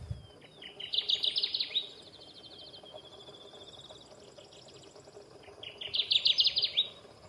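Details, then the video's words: Kirtland's warbler, heard but not seen, in young pines about 10–13 ft tall in Wisconsin, sings two loud, bright bursts of quick chips that climb and swell to an emphatic ending, about four seconds apart. A thinner, fainter trill sounds between them. "we did hear a kirtland's warbler they have a super distinctive song So if you know it it stands out really well"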